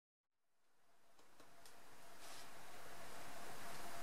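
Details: Broadband noise fades in and grows steadily louder, broken by a few soft knocks and no animal calls.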